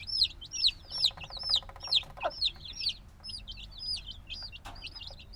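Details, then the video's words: Few-days-old black chicks cheep noisily, recorded binaurally; insistent high down-slurred peeps from several birds overlap, with a rapid soft rattling and a clicking knock midway. "Baby Chicken Sounds - Baby Chicken Chirping Noises"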